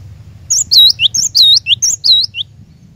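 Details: Cinereous tit song used to lure a caged bird into singing: a quick phrase of high, clear whistled notes, each dipping and rising, alternating with short lower slurs, about seven notes in two seconds. Faint low hum underneath.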